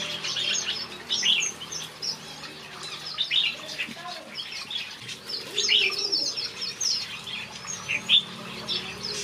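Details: Several finches singing in a backyard aviary: a busy chorus of short, high chirps and twitters, densely overlapping, with occasional brighter upslurred notes and soft wing flutters.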